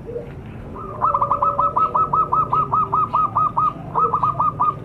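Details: Lure sound for wild zebra doves: a brisk series of roughly a dozen clipped, repeated cooing notes, then a short second run, with quieter low coos and a humming background.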